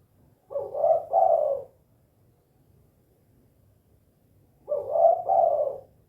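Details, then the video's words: Tekukur (spotted dove) with 'kuk 2' calling: two identical hoarse double coos separated by about four seconds of quiet. "SUARA BURUNG TEKUKUR KUK 2 GACOR"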